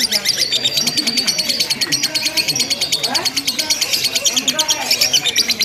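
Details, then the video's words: Ngekek from a lovebird in a practice contest, continuous without breaks: shrill, rapidly repeated chirps in a dense pulsing run, with soft low voices or noise in the background. "LOMBA LOVE BIRD TERBARU 2025 NGEKEK TANPA JEDA DURASI PANJANG"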